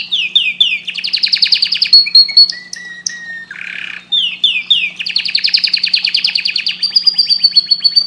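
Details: Singing canary, song meant to stimulate breeding: fast rolling trills of repeated descending chirps, broken by a few slower whistled notes and a brief harsh buzzy burst midway, then the rapid chirping rolls resume; low constant hum in background.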